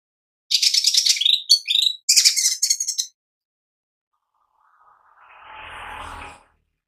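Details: Cucak ijo mini leafbird in energetic song: two dense bursts of very high, rapid chattering twitters, followed by silence and then a short spell of low rushing noise.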